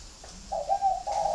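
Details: Spotted dove from a kept flock at a bird garden in Ba Vì, Hanoi, northern Vietnam: a short soft coo, two low steady hooting notes, the second following after a brief gap, over a quiet background.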